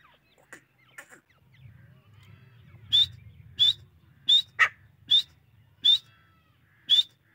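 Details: Grey francolin giving sharp, high, upslurred squeaky notes spaced well apart, roughly every second, over a low rumbling background noise.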